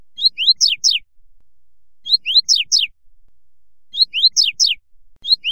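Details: A Double-collared Seedeater (Sporophila caerulescens) sings a "fibra"-style song: a short, high phrase of about five quick slurred notes ending in two falling sweeps, repeated every two seconds against a quiet background.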